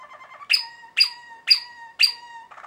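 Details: Malinois Waterslager canary giving loud sharp notes, each sliding down into a short held whistle, repeated about every half second after a soft low rolling phrase.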